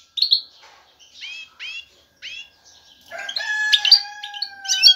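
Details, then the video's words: Male European goldfinch singing to attract a mate: several sharp downslurred chirps, then a dense twittering phrase over a long sustained whistle. "ذكر الحسون جاهز, يبحث على الانثى للتزاوج"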